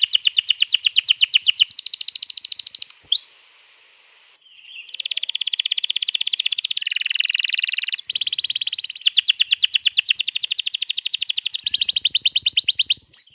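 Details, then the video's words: Canary's long rolling song of 21 April 2022, played to get another canary singing: extended rapid buzzy trills in changing sections, broken by a brief pause about a third of the way in. "pancing burung kenari jadi ikut bunyi GACOR Ngerol Panjang"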